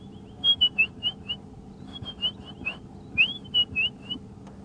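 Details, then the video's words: At sunrise on a July morning safari drive in African woodland, a robin, which starts singing as the sun comes out, gives clear, high whistled notes, each briefly slurred, in quick runs of three to five, behind a silent drongo; faint low hum underneath. "and just behind the drongo, which isn't calling, you can hear the robin."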